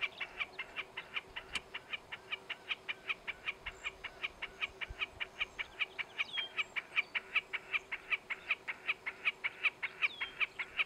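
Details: Male Wilson's snipe calling from a fence post in the countryside south-west of Calgary, Alberta, Canada, July 2017. Evenly spaced, sharp repeated notes run throughout. Another bird briefly adds rising whistled notes in the second half.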